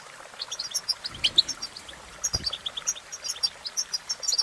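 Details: European goldfinch twittering song: a quiet start, then lively bursts of sharp, high chirps and liquid trills, with one brief low thump partway through.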